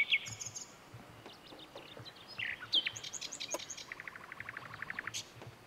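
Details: Common nightingale of the nominate subspecies singing in April at Lake Kerkini National Park, Greece: varied high whistles and chattering phrases, ending in a fast series of about a dozen repeated clipped notes, with a steady low background hum.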